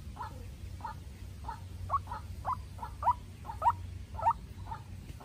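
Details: Young decoy White-breasted waterhen dueling with a wild bird, pouring out abrupt croaking notes nearly twice per second that swell in loudness toward the middle, with faint low rumble behind.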